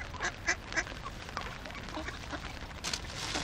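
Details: Hungry ducks, a group of fifty, with three loud, clipped quacks near the start standing out from softer scattered quacking, then a noisy hiss of many birds and background sound.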